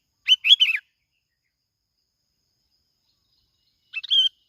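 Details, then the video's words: Bulbul lure song from Bình Thuận, Vietnam: a quick three-note bubbly whistled phrase, then after a three-second pause a shorter clipped phrase ending in a steady whistle. "tiếng chim bông lau"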